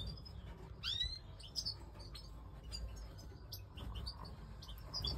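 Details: Major European goldfinch, pied white-head mutation: a clear steeply rising whistled sweep near the start, then scattered thin high twitters and tinkling notes over a low steady background rumble.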